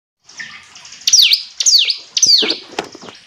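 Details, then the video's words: Hill prinia song: three loud, sharply descending whistled notes sweeping from high to mid pitch, about two per second, over a steady hiss like running water. "Ciblek gunung istimewa, hitungan detik dijamin langsung bunyi ‼️ jernih"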